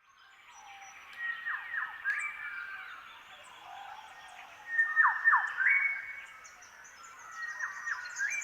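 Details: Shrike-thrushes across the landscape, all singing the same newly adopted song phrase, give rich, ringing whistled phrases with sharp rising and falling sweeps every second or two, while other birds answer faintly far off.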